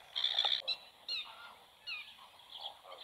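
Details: Black-winged stilt with two newly hatched chicks beside a nest still holding one egg, the young feeding on their own; a sharp, strident yelp opens, followed by several shorter, fainter nasal calls trailing off.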